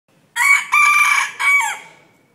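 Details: A pet bantam chicken, kept for its looks and to wake people in the morning, gives a quick, clear, high crow in three bursts, the last drawn out and falling away, with nothing else heard.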